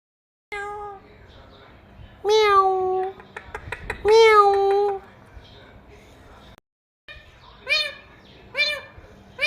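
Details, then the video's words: Pet talking parrot indoors producing loud, drawn-out harmonic calls with arched, rising-then-falling tone, two long phrases around two and four seconds, then shorter nasal notes near the end, with a person speaking Hindi nearby. "Funniest Talking Parrot | Talking Mithu Parrot"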